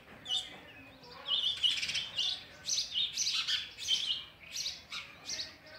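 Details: Sparrow chicks beg for oversized food brought by an adult, giving clear, high, sharp chirps in quick clusters, some with a whistled ring, rising and falling in loudness.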